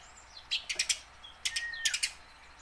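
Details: Tame house sparrow practising song to encourage wild-caught sparrows; two quick groups of four loud chirps about a second apart, with a long thin whistle between them.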